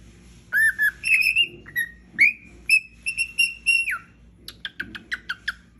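A cockatiel gives a run of bright, whistled calls, some rising sharply and others held, then quick chirps.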